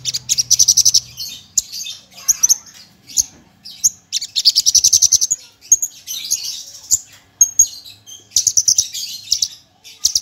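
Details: Javan bush lark of the parva race, recorded as a tutor song packed with varied phrases and rapid bursts: high buzzy trills alternate with sharp chirps and short rattling runs in quick succession, with a brief low hum at the start.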